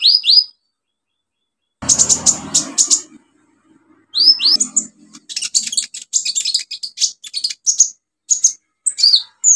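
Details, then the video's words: Olive-backed sunbird song meant to stir silent birds into singing: rising whistles and bursts of rapid high twittering, with a brief rustling noise between phrases and varied squeaky notes filling the later part. "KOLIBRI NINJA SUPER GACOR NEMBAK ISIAN BUAT TERAPI PANCINGAN KOLIBRI NINJA MACET BUNYI"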